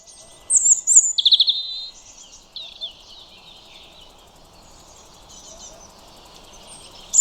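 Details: European robin song: a burst of high, thin, sweet warbling phrases early on, then fainter trills fading into quiet, with a brief bright note at the very end.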